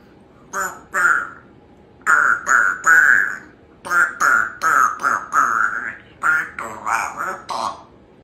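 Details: Talkative pet female Congo African grey parrot chattering indoors while her owner works, producing clipped speech-like syllables in quick groups of two to four, about a dozen words over several seconds, with brief pauses between phrases.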